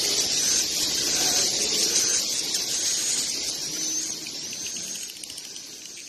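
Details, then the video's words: Swiftlets entering their nest in the evening: a dense, continuous mass of very high, thin, shrill chirps and twitters from many birds, steady and then fading slightly toward the end. "Burung Walet Masuk Sarang Di Sore Hari"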